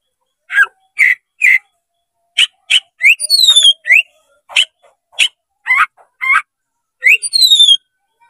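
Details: Oriental magpie-robin (kacer) with fanned tail, singing to draw a rival into combat: evenly spaced sharp chirps and whistled notes, broken by two quick runs of falling high whistles.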